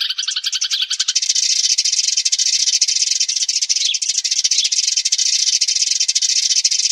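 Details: Sparrows' flock-gathering chatter, used as a trapping lure, in a dense, unbroken stream of high, overlapping chirps, opening with a few louder, harsher notes, then settling into steady twittering.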